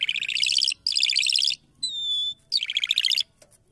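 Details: A Mashhadi lark sings in fast, buzzy, rattling trilled phrases broken by brief pauses, with one clear, level whistled note in the middle. No other sounds are heard.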